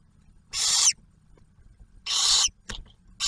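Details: Barn owl family at a refuge nest box near Oak Harbor, Ohio, during a food delivery by the male to the female and first owlet; two drawn-out raspy hisses and a third starting, plus a soft tap.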